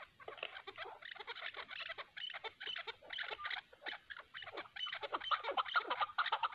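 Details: Chukar partridges in a fight between a hunter's decoy and a wild mountain chukar; fast, uneven series of harsh chuck notes in short bursts, calling back and forth without pause.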